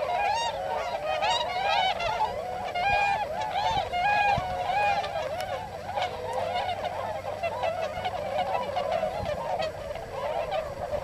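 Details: A large wintering flock of hundreds of tundra swans in rice fields at Hakuta, Yasugi, Shimane, Japan, calls continuously in a dense chorus of mellow, hooting and yelping honks overlapping without pause.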